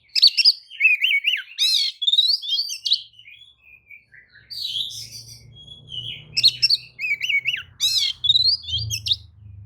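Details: Oriental magpie-robin in lure song meant to make other magpie-robins answer and fan their tails: rapid bursts of varied warbled, zigzagging whistles and buzzy high trills, separated by short pauses, with a low hum behind.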